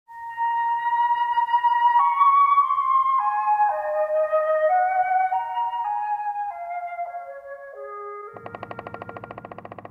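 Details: A melodic flute line stepping through held notes, ending in a buzzy, pulsing low tone, with no animal sound present.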